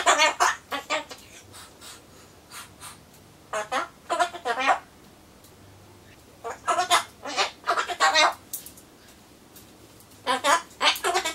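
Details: Pet Solomons corella babbling word-like phrases while waiting for pumpkin; rapid groups of speech-like syllables come in four clusters, with quiet indoor gaps between them.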